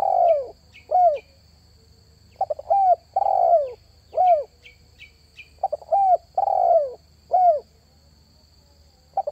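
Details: Spotted dove coo phrases for luring wild birds, each made of short stuttered notes, a drawn-out descending coo and a curved closing note, repeated steadily. Faint high chirps from another bird and a continuous electronic whine are heard.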